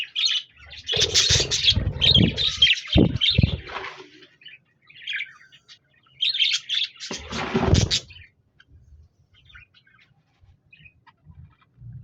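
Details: Budgerigars (parakeets) recorded on 26 January 2024, singing and chirping: bursts of scratchy, rapid chattering chirps in the first four seconds and again around six to eight seconds, with low thumping noises underneath and quiet pauses between.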